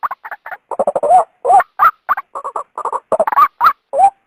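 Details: Calls of a female white-breasted waterhen, played to draw the male from its habitat: quick clusters of short throaty croaks, with louder drawn-out wavering notes standing out between them.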